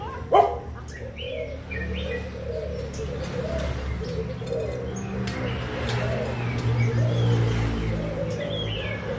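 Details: Many young spotted doves of Malaysian and Thai origin, June 2021, coo in an unbroken low chorus; a sharp knock opens the recording and scattered high chirps appear.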